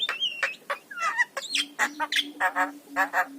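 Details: ['Javan myna song in a master recording used to coax quiet mynas into singing: varied medley of clear whistles, rising and falling slurred notes and harsh buzzy bursts in quick succession, over a steady low hum.']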